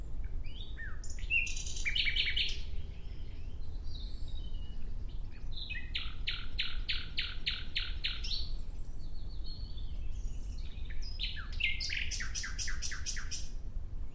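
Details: Nightingale singing a varied opening phrase, then two long bouts of loud, evenly spaced, repeated hard strokes, each about seven to eight notes, separated by quieter pauses.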